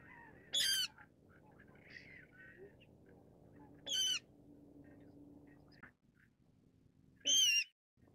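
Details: Brown-cheeked rail calling: three loud, harsh, squealing bursts, each about a quarter-second long, spaced roughly three and a half seconds apart, over a low steady background hum.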